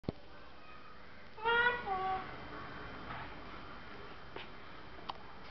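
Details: Talking parrot, seven months old, kept indoors, said to say "tata": a short two-part voiced utterance with stacked harmonic bands, brief and speech-like, over a quiet room hiss with a few faint clicks.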